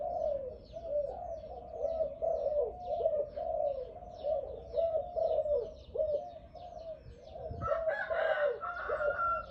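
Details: Captive Malay dove sold for its loud voice, cooing steadily in repeated rolling phrases. Busy high chirping from other birds runs through, and a brief brighter whistle-like call joins near the end.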